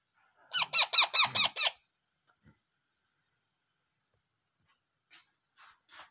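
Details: Parrot chicks being hand-fed give a rapid run of about six harsh, harmonic begging squeaks in under two seconds, then near silence broken by a few faint, scratchy calls.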